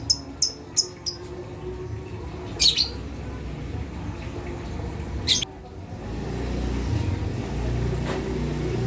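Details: Lovebird calls used to provoke quiet or young lovebirds into calling: a quick run of four shrill, high chirps, then two isolated sharp bursts over a steady low hum and room noise.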